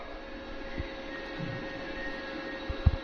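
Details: Steady low engine-like rumble with a faint hum and a few soft thumps near the end, with no animal voice.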